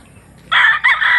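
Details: Rooster crowing: after a quiet start, a loud harsh crow begins halfway through, broken by a short dip, then continues strongly to the end, cut off mid-call.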